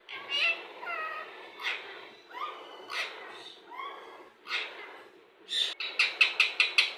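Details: Indian ringneck parakeet mimicking words: a series of harmonic, speech-like syllables with gliding tones, spaced about a second apart, ending in a rapid run of six sharp, clicky chirps.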